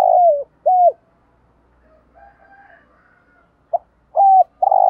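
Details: Spotted dove kept as a decoy for wild birds: a falling croon and a short coo, a quiet gap with faint background chatter, then the next phrase of brief notes and a sustained coo.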